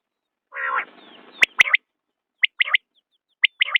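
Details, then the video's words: Common quail: a brief harsh, scratchy burst, then three crisp triple-note phrases of one sharp note followed by a rapid pair, repeated roughly every second. "بٹیر کی آواز/ quail bird sound"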